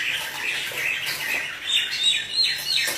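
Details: Chinese hwamei kept in a cage, in full song; dense, bright warbling with quick whistled notes and trills, slightly softer with faint low background hum.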